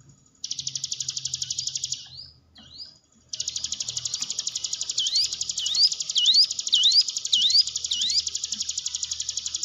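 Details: Hill prinia song played to train quiet cage birds: a long, fast buzzy trill runs almost throughout, broken by a brief pause, with a series of rising whistled notes layered in its second half.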